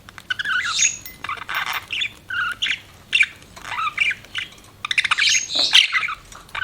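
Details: Chirping pet budgerigars pour out clustered bursts of scratchy twitter and squeaks, each lasting about half a second with brief gaps, ending in a louder squawky flurry.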